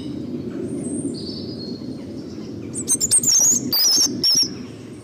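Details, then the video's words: European Robin song: a few thin, high whistles, then a burst of bright, rapid, tumbling phrases over about two seconds, with a soft low rumble and some clicks behind. "Canto del petirrojo"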